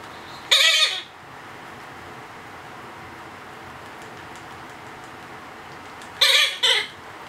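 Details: A two-month-old Blue-headed Parrot being hand-fed gives three harsh, raspy begging squawks: one near the start, then a quick pair after a long quiet pause.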